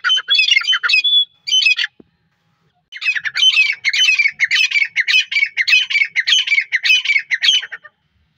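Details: Iranian partridge uttering harsh rhythmic chattering calls, an opening burst, a short pause, then a long even series of scratchy notes repeated nearly twice a second before stopping.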